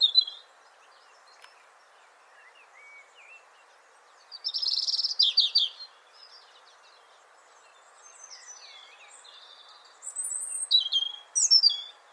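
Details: European robin singing: a brief high note at the start, then two bursts of thin, high, rapidly varied twittering phrases with long pauses between, with faint scattered notes in the gaps and a steady soft background hiss.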